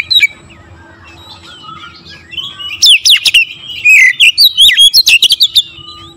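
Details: Oriental magpie-robin singing to stir up other magpie-robins: soft scattered warbles at first, then a loud, dense stream of sharp clicks and swooping whistles repeated quickly for about three seconds, over a faint steady hum.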